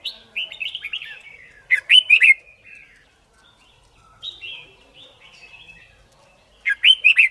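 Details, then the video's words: White-cheeked red-whiskered bulbul in competition singing, used for song training: warbled whistled phrases building to a loud burst of quick notes, a quieter rising warble, then another sharp burst at the end. "Luyện Chim Chào Mào Má Trắng Học Giọng Nhanh. Chào Mào Hót / Chào Mào Hót Đấu"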